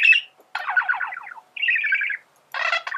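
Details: Male budgerigar singing, used to teach birds song; four buzzy, rasping phrases, each a rapid run of harmonic notes, separated by brief silences.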